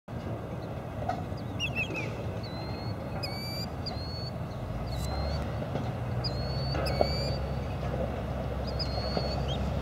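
A Killdeer gives shrill, high, slurred notes, repeated several times a second in loose series, over a steady low rumble of traffic or wind.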